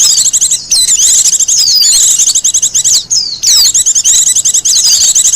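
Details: Japanese white-eye, wild bird, singing a song offered for luring and for teaching captive birds: continuous high, rapid warbling twitter with swooping slurred whistles and a short break midway.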